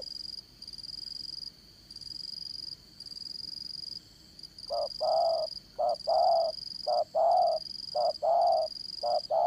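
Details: Spotted dove kept as a trapping decoy, voice described as strong; after five seconds of quiet it gives rapid pairs of short and drawn-out coos, with a constant high-pitched buzzing background.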